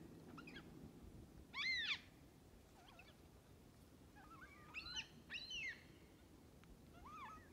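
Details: Black cockatoos (likely Carnaby's), part of a flock of about 100 feeding on parrot bush seeds at Lake Clifton, WA, on 25 April 2022, give drawn-out, wailing squeals in quick bursts from different birds, over a soft low rumble.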